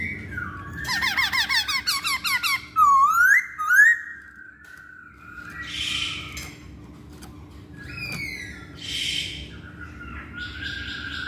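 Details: Lure song of a masked laughingthrush for prompting other birds to sing: rapid harsh chattering notes, then two loud rising whistles, followed by softer rasping bursts and thin descending whistles.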